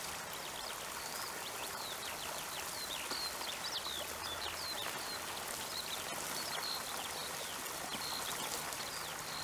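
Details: A lark, expected to nest in the neighbours' chemically treated barley and forage across the farm's mosaic of habitats in Doubs, France, pours out a continuous stream of high, rapid chirps and trills over a steady rain- or wind-like hiss.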